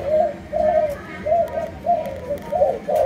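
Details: Spotted dove from a Malaysian line cooing quickly: bright, slightly hoarse low hoots tumbling in an uneven rhythm.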